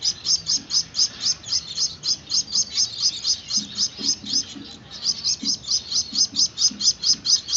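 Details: Begging chirps from hand-fed Gouldian finch chicks: shrill, rapidly repeated high notes about two to three per second, with a brief falter midway and soft low knocks.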